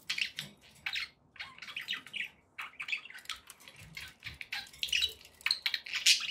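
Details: Budgerigars chirping happily indoors, a steady stream of scratchy, clicking chatter and squeaky tweets over a faint background hiss.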